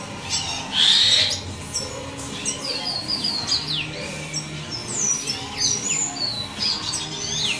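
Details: Juvenile red siskins, offspring of a classic male and a simple-mutation female, kept in captivity. Thin, high, slurred downward whistles and twittering notes overlap from several young birds, with one louder buzzy call early on.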